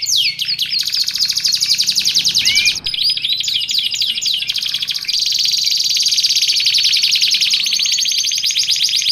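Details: Canary song for training and luring canaries: a few swooping whistles leading into long, high, dense trills, with a brief flourish of wavering notes midway and a sustained buzzy roll to the end.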